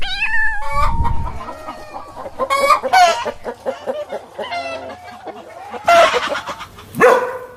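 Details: A farm rooster gives the tail of a drawn-out, harmonic crow, then a run of short, rough clucks and two louder squawking calls, over a low background rumble.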